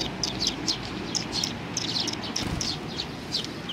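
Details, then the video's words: Eurasian tree sparrows visiting a bench for food on 3 June 2020; bright short chirps follow one another several times per second over low background noise. "ベンチの上のすずめ達 20200603 1（餌を貰いに来る雀達"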